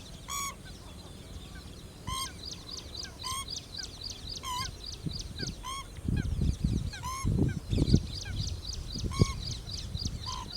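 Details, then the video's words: Pheasant-tailed jacana foraging for food in a lake: repeated nasal, mewing calls with a downward end, roughly one every second, amid continuous high twittering of other birds and low rumbling noise. "Pheasant tailed Jacana-Call"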